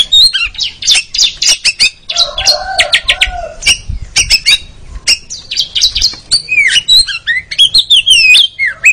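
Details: Song of a white-rumped shama from a training recording meant to build a contest champion's nerve: dense bursts of high chattering notes and clicks, fast trills mid-way, then looping whistled phrases toward the end.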